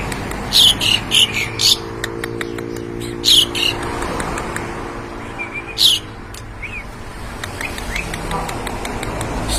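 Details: Javan pied starling copying other birds' voices, giving harsh squawky bursts and sharp chirps at irregular intervals, with a few short rising whistles, over constant background noise and a low hum.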